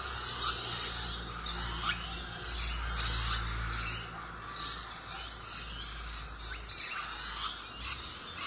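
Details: Musk lorikeets feeding on eucalyptus flowers give shrill, rasping screeches in short bursts every second or so, over a steady low rumble in the background.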